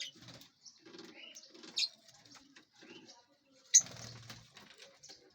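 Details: Lovebirds in a large aviary while feeding and flying: soft scratchy chatter with two loud, sharp, high chirps standing out.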